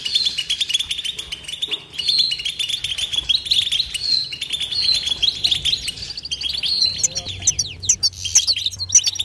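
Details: Goldfinch in continuous batbata song: an unbroken flow of high, liquid twitters and quick chirps, with brief rising whistles and a faint low hum underneath.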